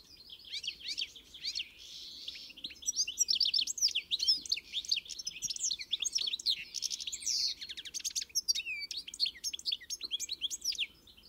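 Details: Extended European goldfinch song building from softer twitters into a dense, fast run of liquid chirps, dry trills and buzzy slurred notes, tapering off quietly at the close.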